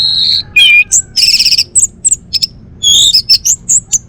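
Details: A male orange-headed thrush from Bali pours out a varied, rapid song. It opens with a steady high whistle, then moves into a rattling buzzy trill and ends with a string of quick chirps and slurred whistles.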